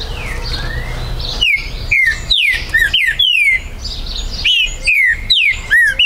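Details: Green-winged saltator (trinca-ferro), recorded 19 September 2020 at a breeder's premises in Brazil, a territorial singer: two series of bold, falling whistled notes, roughly five each, with other birds chattering faintly behind and a low hum.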